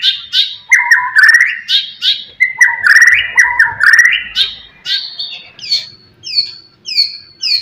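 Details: Loud white-rumped shama song, a lure that provokes rival birds: fast run of rich warbling whistles and chirps, about two notes per second, ending in a series of clear high slurred whistles.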